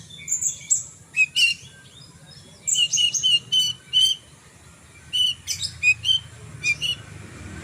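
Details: Lark, called branjangan, singing energetically: bursts of sharp, high chirps and short trills in quick clusters separated by brief pauses.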